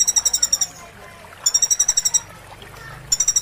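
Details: Van Hasselt's sunbird (konin), a master recording with roll and 'tembak' phrases, played while a bird is moulting. Fast pulsed high trill bursts repeat in three runs, with low faint sounds in the gaps between them.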